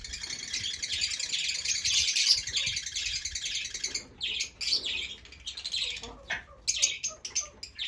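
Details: Fischer's lovebirds giving a sustained buzzy, harsh chattering for about four seconds, followed by separate shrill squeaks and sharp clicks in quick irregular succession.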